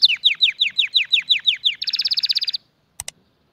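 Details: Canary singing as a teaching model for chicks and to encourage mating: about nine loud downward-slurred whistles at an even pace, then a fast buzzy trill, then silence broken by two sharp clicks.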